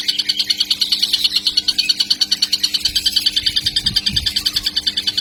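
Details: A young kingfisher's insistent, shrill pulsed calling, repeated steadily about three times a second, with soft low knocks in the background.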